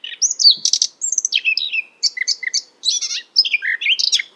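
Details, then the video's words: Eurasian Blackcap singing in European hedgerows and wooded gardens: a quick run of pure, fluted whistles and bright warbled phrases with short pauses, clear and close, no other sounds. "Ce chant est celui de la fauvette à tête noire."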